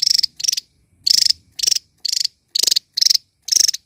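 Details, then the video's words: Loud, lively small bird song given while dancing: eight short, dry, rapidly pulsed buzzy bursts repeated at roughly half-second intervals. "BURUNG KECIL ..KERENNN...GACOR LANTANG..NGOCEH SAMBIL JOGET"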